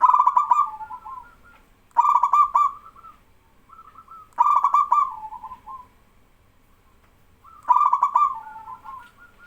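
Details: Local male zebra dove in full song, stirring younger doves to call back in exchange. Four loud staccato cooing bursts, each trailing into softer rolling notes, come roughly every two to three seconds.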